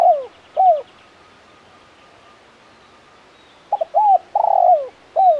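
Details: Male spotted dove calling in the 'kuk 1 mersik' style. The clip opens on two falling coos, then a pause. A phrase follows: a quick double note, an arched coo, a long trilled coo and a final dropping coo. The background is calm.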